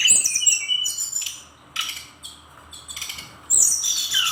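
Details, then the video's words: Bursty song of a Bali brown-chested jungle flycatcher: mid-pitched whistled runs at the start, then harsh broadband rattles separated by quieter gaps, ending with a loud high scratchy phrase. "Kumpulan Kicauan SRDC Gacor Nratak Nembak Isian"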